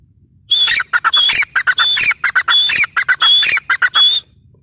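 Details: Grey francolin, locally called teetar (dakhni teetar): a loud, shrill run of harsh, buzzy notes in rapid groups, a clear high whistled note opening each group, repeated about every half second for nearly four seconds against a low background hum.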